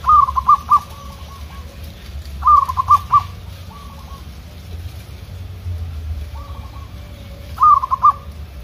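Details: Zebra dove (local perkutut) singing in the open against wild rivals, calling back and forth: three loud rapid four-note cooing phrases, spaced a few seconds apart, with softer distant replies between them and low background hum.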